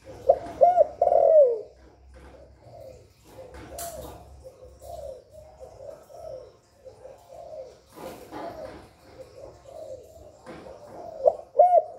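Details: Spotted dove calling to stimulate other doves: a clear hooked-and-falling phrase at the start and again at the end, with a long stretch of soft low coos between and a few sharp clattering noises.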